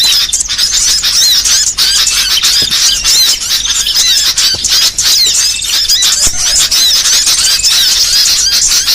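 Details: Small-bird song in a varied training recording: continuous high chirps, squeaky trills and quick whistles layered into a dense twittering stream with short sharp clicks.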